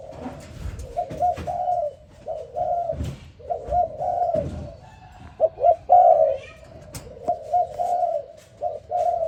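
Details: Morning cooing of a spotted dove, a series of low mellow coos in uneven groups, some notes slightly rising, with faint clicks and light background noise between phrases.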